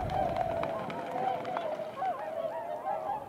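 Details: Swans gathering speed upwind before flight, early February morning about 8 a.m.: several nasal honks, some drawn out and some short and bending, from a few birds close together over a low background rumble.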